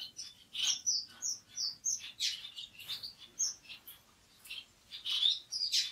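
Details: Orange-cheeked waxbills (Estrilda melpoda) trade thin, high chirps and short tsip notes, several each second, with louder overlapping bursts from more than one bird.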